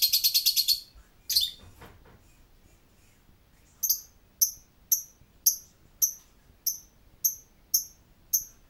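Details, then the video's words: Lovebird calling: a short burst of rapid high chatter, a second brief burst, then a steady run of sharp high chirps repeated roughly every half second. "Suara ngekek burung Lovebird"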